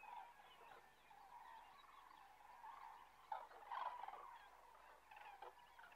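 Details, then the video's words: Common cranes resting on migration south of Kastlösa in September 2013, giving a chorus of bugling calls from several birds, with a few louder trumpeting notes standing out near the middle. "Tranor (Grus grus) Cranes"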